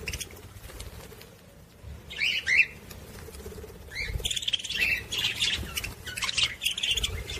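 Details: Budgerigar warbling song used to stimulate females to mate: squeaky chattering bursts, a short phrase early, then a long continuous run of buzzy chirps and warbles.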